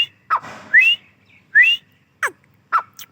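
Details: A grey francolin, possibly female, gives loud, shrill whistled notes, some sharply rising, about one per second, with faint background hiss.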